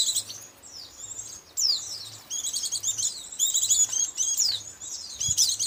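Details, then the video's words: White-eye lure sound from Indonesia for catching white-eyes: high, thin twittering and sweeping chirps, building into a denser chatter in the second half, with a soft low hum and one brief thump. "suara pikat burung pikat pleci"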